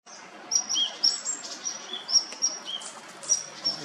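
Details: A female chestnut-bellied nuthatch (Sitta cinnamoventris) calls with thin, very high chirps given about twice a second at an uneven pace, with a few lower whistled notes, over steady outdoor hiss.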